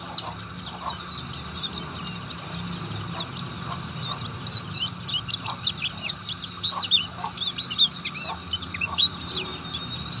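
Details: Oriental white-eye, a rapid, energetic singer, delivering a dense stream of high, twittering, sliding chirps over steady low background hum.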